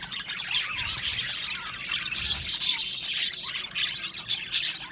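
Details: Caged budgerigars in a colony aviary produce a steady wash of high twittering chirps and scratchy warbles, many birds calling at once.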